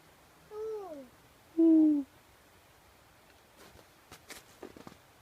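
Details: An owl hooting: two smooth, tonal, downward-sliding hoots with faint overtones, about a second apart, the second louder and longer, followed by soft clicks and rustling.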